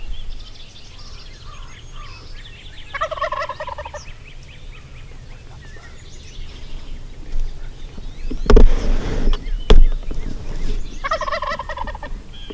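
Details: Nebraska wild turkey, a call-shy longbeard tom hunted with no calling or decoys, gobbles loudly twice, a harsh fast-rattling burst at about three seconds and another near eleven, with two sharp loud bangs between and faint birdsong.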